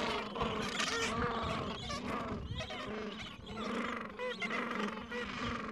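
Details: Gentoo penguins at the edge of a breeding colony in the Falkland Islands, adults tending two-to-three-week-old chicks and nests on a mild afternoon; a dense, continuous chorus of overlapping harsh, braying calls and chatter.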